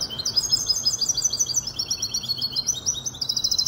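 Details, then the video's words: Continuous rapid chattering song from a young goldfinch hybrid, five months old, in Casablanca: high, tightly repeated twittering notes with steady pulsing rhythm throughout. "تغريد هجين الحسون كوبية ملقا 5 أشهر"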